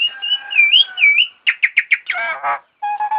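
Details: Starling imitating an ambulance siren in song: wavering whistled notes, then a burst of five quick chirps, followed by buzzy harmonic notes and low steady whistled tones.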